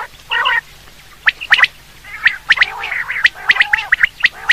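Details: Quail (batair) calls used for quail hunting: a broadband rasping burst, then a string of sharp, clicking high notes that come roughly once a second with some quick doubled notes, plus a faint low hum.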